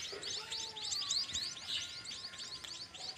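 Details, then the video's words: Baby birds in a nest, high thin chirps tumbling in a rapid continuous chorus of many overlapping notes, about four per second, with faint low whistled tones beneath. "Baby birds inside the nest making sound."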